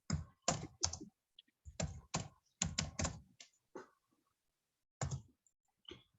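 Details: Irregular bursts of sharp tapping and knocking clicks with short silent gaps between them.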